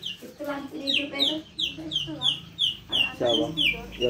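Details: White-rumped shama song used to tutor young birds: a quick series of sharp, high, downslurred notes repeated about four times a second, with people talking underneath.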